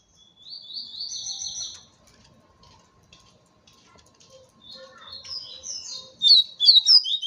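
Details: Double-collared seedeater singing in campeada style as a territorial challenge: an opening run of high, buzzy stepped whistles, a pause with soft clicks, then a loud, fast series of sharp chirping notes.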